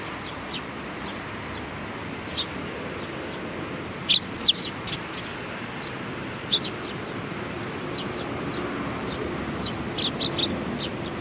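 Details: Sparrows, including young ones trying hard, on 27 June 2019: scattered short high chirps, a few sharp bright ones near the middle and a small cluster at the end, over steady low outdoor noise.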